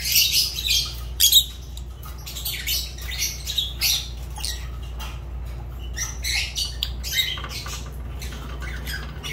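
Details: Fischer's lovebird, a pet bird, giving scattered shrill, harsh squawks and chirps, loudest near the start and again around seven seconds, with quieter chatter between, over a steady low hum.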